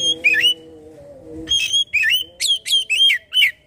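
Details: Oriental magpie-robin song, used as a lure to prompt another kacer to sing: short loud whistled phrases with sliding and warbled notes in bursts. A steady low tonal hum plays under the first part.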